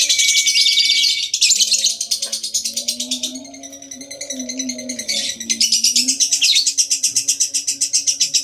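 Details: Ngekek of a lovebird, a lure recording meant to set other lovebirds singing: shrill, rapidly repeated pulses forming a long chattering trill that softens briefly then returns loud, over a low humming drone.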